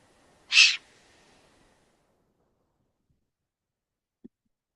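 A young Eurasian Eagle-Owl gives one harsh, hissing rasp, a brief noisy burst, then quiet apart from a faint click.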